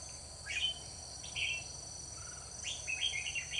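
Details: Trapping decoy red-whiskered bulbul, dated 21 October 2019, delivering sweeping whistled phrases that rise and swoop, followed by a lively cluster of quick chirpy notes, with a constant insect hum underneath.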